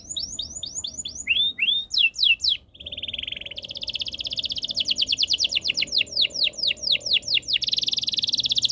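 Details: Canary singing a varied song: quick falling notes, then a sustained buzzy roll, followed by long, rapid trills of rolled notes and a final dense warble, over a faint low hum.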